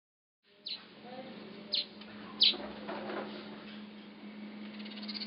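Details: Masked weaver building its nest at Huab Lodge, Namibia: three short, sharp high chirps spaced about a second apart, over a steady low hum.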